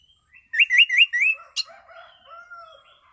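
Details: Relaxed, clear ngeplong song of an orange-sided thrush: four rolling rising-falling whistles in quick succession, a sharp click, then soft low drawn-out warbles.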